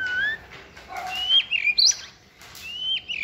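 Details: White-rumped shama, young and caged, singing giong day style on a table: clear whistled phrases, some sliding down, others rising sharply, separated by short pauses.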